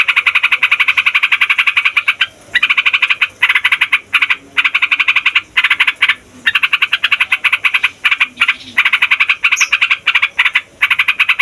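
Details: Yellow-vented bulbul giving the long 'ngeroll' rolling song, used to provoke other songbirds and as a lure for wild bulbuls. A fast, continuous rattling trill runs in long stretches broken by brief pauses.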